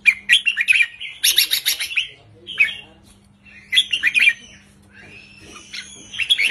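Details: Red-whiskered bulbul singing short, lively counting-style 3-4-5 phrases, played to rouse caged birds: bright warbled notes, then a burst of harsh rapid buzzy syllables, with pauses between phrases and a faint steady low hum.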